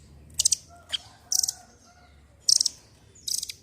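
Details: Velvet-fronted nuthatch in lively, energetic voice, used as a lure to prompt silent birds to sing: short bursts of sharp, very high, rapid chattering notes, each lasting a fraction of a second, repeated about once a second in a quiet setting.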